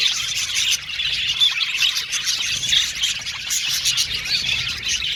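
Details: Male violet budgies in an aviary colony giving a crowded mix of high chirps, warbles and a few rougher squawks, steady throughout.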